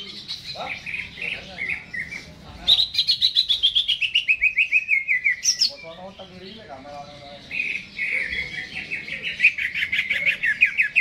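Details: Caged Greater green leafbird singing before hanging: mixed warbled phrases, then a long rapid trill of repeated chirps descending in pitch, followed by more lively varied twittering.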